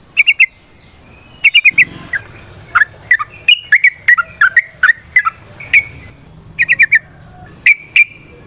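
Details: Trucukan, the sooty-headed bulbul, in full varied 'ropel nrotok ngecuplik' song, used as a lure to get others singing: clusters of three or four quick bright notes alternate with single sliding fluty calls and short pauses.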